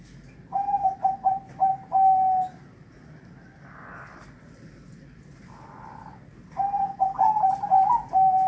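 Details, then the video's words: Zebra dove calling to its female: soft, staccato cooing phrases of quick clipped notes, in two bursts separated by a quiet pause, with a little background noise. "Perkutut Merbok | Zebra Dove"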